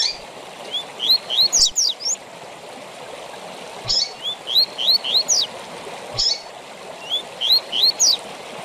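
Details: Double-collared seedeater, tui tui zel zel style used to teach captive birds: three phrases of rising whistled notes ending in steep high slurs, each opened by a sharp chip, over continuous stream-like hiss.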